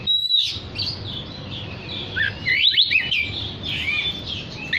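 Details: Oriental magpie-robin singing actively to summon other magpie-robins: a clear sustained whistle, then loud, quick runs of sharp chirps and down-slurred whistles in several bursts over background noise.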